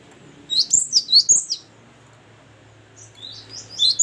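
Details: Great tit (gelatik batu) giving a short burst of high, bright descending notes for about a second, then quiet, then softer repeated notes building again at the end.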